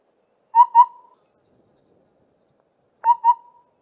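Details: Southern Boubou near Trumpeter's Drift, Grahamstown, giving two pairs of low, mellow whistled "boo-boo" notes about two and a half seconds apart, the call its name comes from, in a quiet setting.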